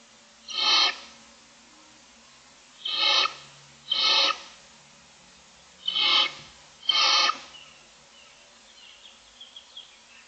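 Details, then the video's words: Hungry Barn Owl owlets, six in the nest on the morning of day 25, give five short rasping hisses at uneven intervals, with faint chirpy notes trailing at the end. "Barn Owls : 6 owlets looking for food"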